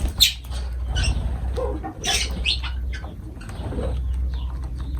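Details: Lovebirds around feeding time giving sharp, shrill squawks in short bursts, several close together near the start and middle, over a steady low background rumble.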